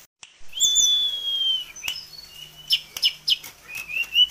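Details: Kept tame sulingan gunung giving a varied song: a long clear high whistle, then a string of short sharp chirps and slurred whistles rising and falling, with a faint low hum behind.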